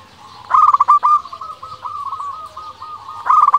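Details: Zebra dove of local stock singing a lure coo meant to make other doves reply; a quick stuttering run of bubbly notes, then a long wavering purr, and a fresh trilled phrase starting at the end.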